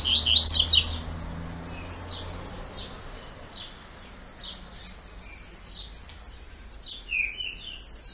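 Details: Double-collared seedeater singing the two-note "tui tui" style: a loud, high buzzy burst opens, then softer scattered whistles and descending sweeps follow at intervals.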